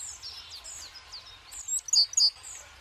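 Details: At a winter woodland feeder, tits give thin, descending tweets, followed by two loud, piercing high notes in quick succession.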